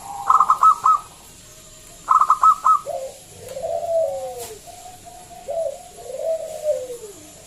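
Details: Lure song of a loud local zebra dove, meant to draw other doves into singing; two bursts of rapid staccato notes, then a series of long, slurred, descending coos.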